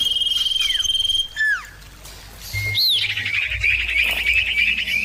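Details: Several common iora answering each other, played to draw a caged bird into song: rapid pulsed notes, falling slurred whistles, a rising-falling whistle, then a long rolling trill.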